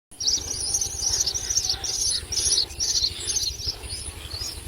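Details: Common myna feeding its chicks with a lizard. High, thin chittering bursts repeat about twice a second in an uneven rhythm, with a low background hum.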